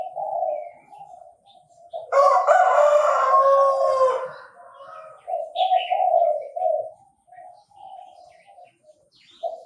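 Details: A Chinese francolin crows in Bình Thuận, Vietnam, in a bird-trapping setting. A single loud, rasping, harmonic phrase lasting about three seconds is framed by lower chattering notes. A short high chirp sounds afterwards.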